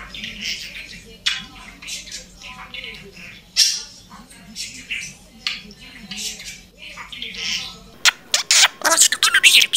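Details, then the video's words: Pet budgerigar repeating talk heard around it: a long run of rapid warbling, mumbling chatter, then a burst of sharp clicking chirps near the end. "ETRAFINDA Kİ KONUŞULANLARI EZBERLEYİP SÖYLEYEN MUHABBET KUŞU"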